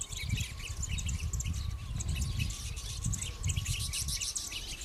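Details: Citron-headed Yellow Finch (Sicalis luteocephala), a pair and flocks in Yavi, Jujuy, Argentina, in May 2015, courting and feeding, giving thin, high chirps in quick scattered bursts, partly masked by heavy low wind rumble and a faint steady hum.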